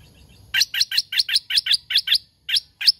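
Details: Lure laughingthrush, a caged hoành hoạch thơm said to be very fierce. It gives a quick series of about twelve bright, sharp chirps at a brisk, slightly uneven pace.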